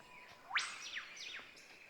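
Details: Eastern Whipbird deep in ancient rainforest at Lamington National Park, Queensland, Australia: a sudden, explosive whip-crack sweeping sharply upward, then quick falling notes, over a faint steady tonal hum from the forest.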